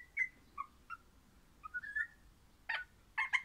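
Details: Orange-described pet crimson rosella gives soft separate whistled notes, some dipping low, then ends with loud harsh chattering bursts.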